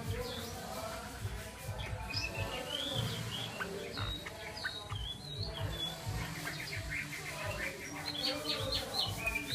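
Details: Chinese hwamei song with rich whistled phrases, sliding and looping notes strung together rapidly, pausing briefly midway before resuming, against a constant low rumble and faint chatter.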